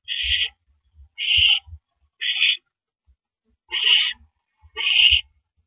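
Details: Owl at a nest after dark on 9 April 2012, first mouse of the night delivered: five rasping hissed screeches repeated about once a second, with light bumping noises underneath.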